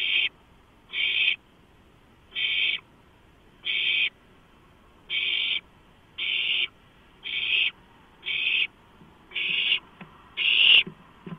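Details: Owlets clamouring over a large delivered rodent, beaks and talons on the prey, March 2015: ten raspy, breathy screeches, each under half a second, coming at uneven intervals of about one to one and a half seconds.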